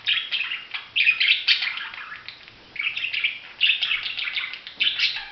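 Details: Budgerigar chattering steadily with bright, scratchy chirps and short warbled notes in quick bursts, brief pauses near three seconds, no other sounds.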